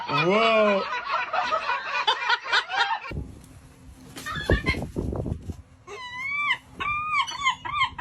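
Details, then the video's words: Seagulls laughing: a short burst of harsh, arching, harmonic cries at the start, a noisy gap, then a rapid series of looping, rising-and-falling laugh notes near the end. "Be laughed at by seagulls"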